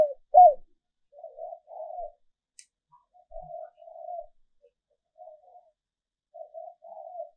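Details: Female dove calling to lure males: one clear low arched coo at the start, then quieter murmured cooing notes spaced out over several seconds.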